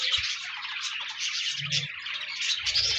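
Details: Short burst of pet parakeet chatter, busy high twittering and scratchy chirps layered continuously, with faint low bumps underneath; meant to encourage a lonely budgie to sing.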